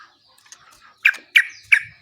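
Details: Yellow-vented bulbul singing long, lively phrases used as a lure to prompt other bulbuls to sing back: three loud, bubbly clipped notes about a third of a second apart, after softer scattered chirps.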